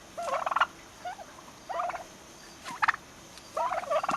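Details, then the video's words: Nearly six-month-old young turkeys give scattered gobbles, short rattling bursts with a few rising notes, spaced about a second apart and ending with a louder run. "Baby turkeys making turkey sounds!"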